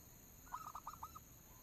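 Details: Local zebra dove lure song, meant to get other doves singing: a short run of about six rapid, mellow cooing notes, faint against a steady hiss.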